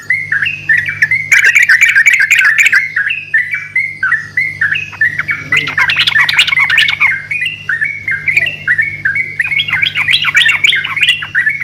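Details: Several yellow-vented bulbuls singing persistently back and forth as lure song: dense, overlapping bubbly phrases with harsher squawky notes and clicking bursts, over a constant low electrical hum.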